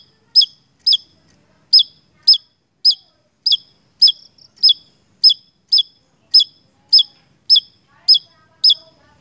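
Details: Lively Javan tesia from Indonesia giving a brisk run of about sixteen crisp, high, downward-flicking notes, spaced roughly half a second apart with occasional brief pauses, over an otherwise quiet background.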